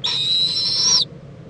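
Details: Owl in Indiantown, Florida, on February 26, 2014, during a midday preening visit by the mother to her owlet; a single loud, breathy screech with a steady whistled tone, held about a second, then quiet.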